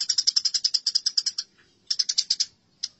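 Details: Sparrows in a fight give a quick series of about a dozen sharp, high chirps. After a pause come a shorter burst of six or seven chirps and then one last chirp. The recording is meant for training songbirds.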